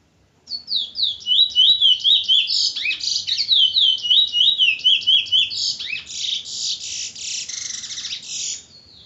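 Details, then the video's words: Chestnut-bellied seed finch, known locally as bullfinch, in Trinidad: a loud, rapid, varied warbling song of high twittering and slurred whistled notes, about four a second, ending in buzzier rattling phrases, with no other clear sounds. "Bullfinch Trinidad"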